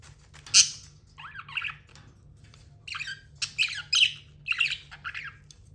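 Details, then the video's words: Pet budgerigar warbling: one loud sharp chirp, then a chatter of rapid up-and-down whistled notes in short bursts over a faint steady hum. "Amazing budgie chirping sounds"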